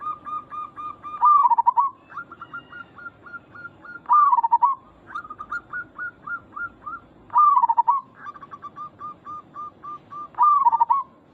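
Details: Local zebra dove calling to draw fast responses from other doves; four loud trilled, dipping coo phrases about three seconds apart, each followed by a quick series of short repeated notes.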